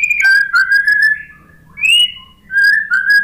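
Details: White-rumped shama lure phrases for a bird reluctant to sing after moulting: long, pure, steady whistles in three separate bouts, some gliding upward, with quiet gaps between them.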